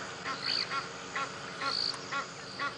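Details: At sunrise on 18 February 2017 at a South African game reserve, Egyptian geese give harsh, repeated honking alarm calls as a lion pride approaches water, with blacksmith lapwing and three-banded plover alarm whistles mixed in.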